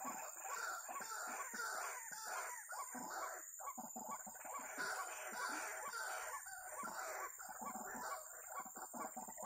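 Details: White-breasted waterhen, in a bird-trapping context, giving harsh, croaking notes repeated rapidly in a steady run, with a constant high insect whine underneath.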